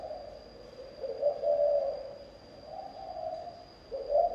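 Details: Repeated low coos from a spotted dove in thổ âm song, three phrases in about four seconds, smooth and resonant, accompanied by a steady thin high tone.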